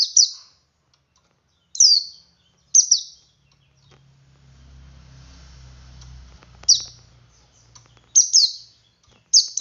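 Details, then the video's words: A male white-eye sings ngalas to prompt other white-eyes: single and paired high, quick falling chirps spaced out over the recording, with a low rumbling hum in the middle. "Suara Burung Pleci Jantan Ngalas Memancing Pleci Lain Ikut Ngalas"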